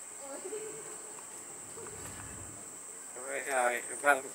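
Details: Hill myna at Lok Kawi Wildlife Park, Kota Kinabalu, imitates human speech with two short voice-like phrases, like a spoken "hello", near the end, over a steady high insect drone and faint human voices.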